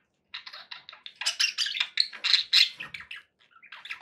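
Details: Pet budgerigars making happy sounds indoors: rapid chirpy chatter of short buzzy and whistled notes, bursts repeated several times a second with a brief pause near the end.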